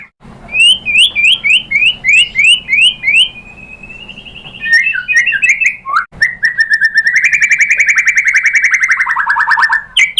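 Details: White-rumped shama (murai batu) lure song meant to make another bird sing: about eight quick repeated whistled notes, a gliding phrase, then a long fast buzzy trill that drops in pitch at the end.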